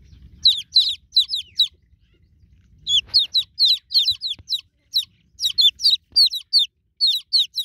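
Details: Newborn domestic chicken chicks calling for their broody mother hen: loud, high, falling peeps in quick bursts of three or four, with a short quiet gap before the peeping resumes more densely.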